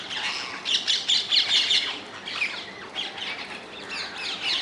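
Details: Wild rose-ringed parakeets in the Netherlands: dense overlapping chatter of high, harsh chirps and short screeches, several birds calling at once in quick irregular bursts throughout, with a louder cluster of calls near the middle.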